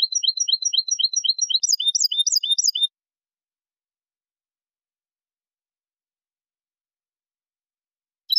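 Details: European goldfinch singing a linked song, cantada enlazada with two changes: nearly three seconds of quick, regular high twitters, switching midway to a sharper rippling figure, then silence and a brief new note at the end.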